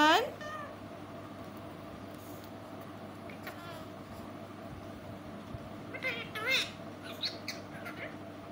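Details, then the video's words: Pet parrot, noted for sweet talking, opening with a loud rising harmonic call, then quiet stretches and a cluster of chattering, speech-like squawks near the end, with background hum. "Mithu talking sweet voice"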